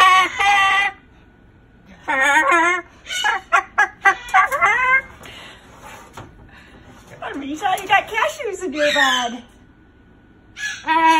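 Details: Pet Moluccan cockatoo at bedtime, refusing to go into its cage and complaining; a rare bout of speech-like talking in bursts of harmonic, voice-like syllables separated by short pauses, with indoor room sound.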